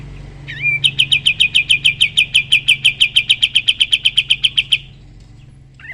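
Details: Sooty-headed bulbul in active 'tembak' (shooting) style song, a master recording for training other songbirds: a short slurred whistle, then a fast run of about twenty-five sharp, identical chipping notes over four seconds before stopping.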